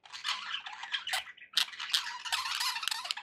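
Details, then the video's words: Pet budgies chattering close by: a rapid, scratchy run of squeaky chirps and harsh notes with a brief pause midway. "budgie sounds for pet birds"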